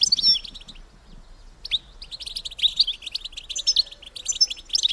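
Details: Female European goldfinch call meant to encourage males to breed, heard as bright, high chirps and slurred tinkling notes in loose clusters, opening loudly, dipping quiet near one second, then chattering steadily onward.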